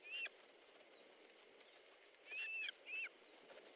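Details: At an Estonian osprey nest during a fish delivery, 14 July 2014 at 12:50, an osprey gives thin, high whistles that rise and fall in a smooth arc: one opening note, then a longer whistle and a shorter one close together.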